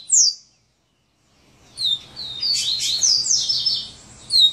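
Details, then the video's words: Coleiro, the Double-collared seedeater, giving its "serra elétrica" song: a sharp high note, a silent gap, then a dense run of buzzy rasping and whistled slurs ending on a bright note. "Coleiro Serra elétrica"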